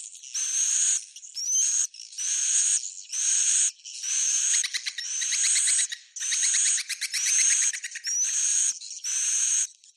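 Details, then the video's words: Swiftlet roosting call, Bhayangkari style: long hissing buzzy bursts under a second each, repeated about once a second, with rapid ticking trills and quick rising whistles between them. "Suara Inap Walet Bhayangkari"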